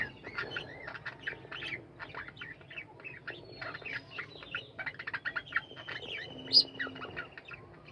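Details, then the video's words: Many budgerigars in a captive colony chattering together, a steady stream of quick high chirps and scratchy warbles, with a thin sustained whistle running through the middle section. "বাজরিগার পাখির কলরব ও গান"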